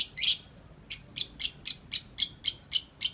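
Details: Tame lovebird chattering outside its cage in the 'ngetik' style: one harsh opening burst, then a steady string of eight crisp, high chirps at an even pace of about four per second.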